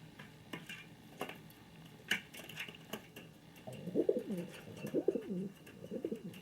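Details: A pet male king pigeon indoors gives a few low, throaty cooing phrases in the second half, with scattered clicks and household knocks before them.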